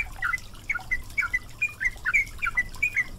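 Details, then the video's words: Yellow-vented bulbul song for training caged birds: short, sweet slurred whistles in quick succession, some paired, over a constant stream of water. "MASTERAN BURUNG TRUCUKAN GACOR"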